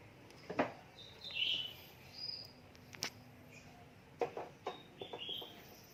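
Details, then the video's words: Caged oriental magpie-robin being readied for a songbird contest, giving scattered short whistled and slurred high notes a second or so apart, mixed with sharp clicks and knocks over a steady background hiss. "Suara Burung Kacer Siap Gantang"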